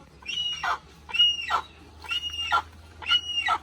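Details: Little hornbill calling in a rhythmic series of harsh doubled notes, a sharp high bark then a deeper grating note, four pairs in quick succession.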